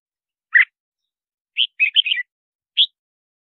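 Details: Red-whiskered bulbul, song meant to lure wild birds: a lower burry note, a brisk warbled phrase of quick whistles, and a closing bright chirp, on a silent background.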